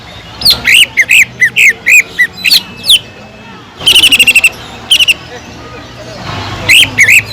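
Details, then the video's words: Greater green leafbird singing without pause, its song filled with kingfisher-like phrases, used to tutor other leafbirds: a series of short upslurred whistled notes, then rapid buzzy rattling bursts and more whistles, over faint background hiss. "PANCINGAN CUCAK IJO GACOR ISIAN ISTIMEWAH TENGKEK UDANG"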